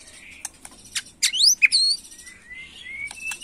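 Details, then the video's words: Agitated white-rumped shama singing in the macul style. Scattered sharp clicks give way to a loud burst of high rising and falling whistled sweeps. A thin, level whistle trails off at the end. "Murai Batu emosi Gaya MACUL"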